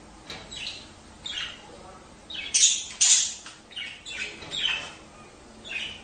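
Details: Budgerigars chattering to encourage mating: quick series of scratchy, squeaky notes, roughly two per second, with a couple of louder squawks in the middle.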